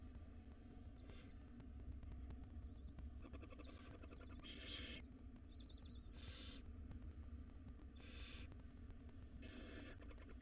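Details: At feeding time, five hungry wild barn owl chicks in a nest box give around six rasping, hissing bursts, some longer and louder, mixed with brief wavering high twitters and a constant low background hum.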